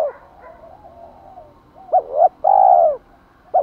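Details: Faint murmuring coos, then a loud spotted dove phrase: two short hoots and a drawn-out, even hooting coo ending with a fresh note. Used to stimulate wild males to coo persistently.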